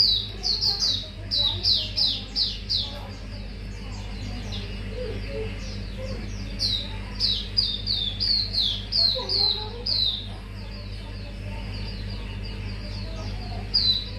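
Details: Lure recording of a mangrove whistler singing: bursts of quick, descending whistles repeated nearly three times a second, pausing briefly before resuming, above a constant low-pitched background drone.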